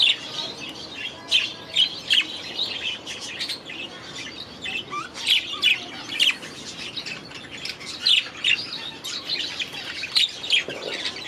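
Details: Young budgerigars, last year's babies now grown, settling into a new aviary: continuous warbling chatter of high chirps and squeaks, bursts recurring every second or so throughout.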